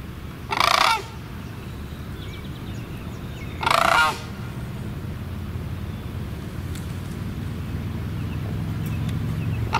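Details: Sandhill cranes calling: two loud, rolling, rattly bugles about three seconds apart, each under half a second, over a steady low rumble.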